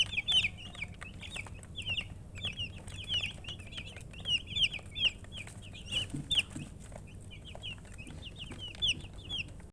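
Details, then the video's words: A group of baby chickens keeps up high, piercing down-slurred peeps in irregular runs, louder calls standing out above softer chirps from other chicks, with a quiet low background hum. "MURGI Baby "Chicks Chirping" Sound"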